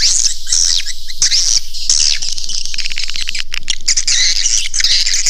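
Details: Swiftlet caller sound for drawing swiftlets into a nesting house. Separate sweeping high chirps come first, then a dense stretch of overlapping twittering with scratchy clicking in the middle.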